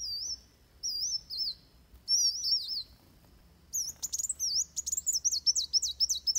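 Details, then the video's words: Van Hasselt's sunbird fighting song for bird training. It opens with separated high wavy whistles, goes quiet briefly, then breaks into a quick, excited series of chips and twisting notes. "Suara Kolibri Wulung Tarung Buat Masteran"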